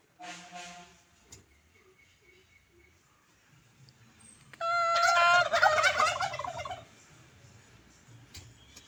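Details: Turkey gobbling: after a soft call and some quiet, a loud rattling, gurgling burst lasts about two seconds, dense and rapidly modulated, then fades back to low background noise.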